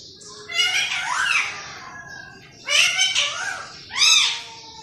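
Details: Green parrot imitating human speech: three groups of hoarse, harmonic, word-like sounds with swooping pitch, separated by quieter pauses.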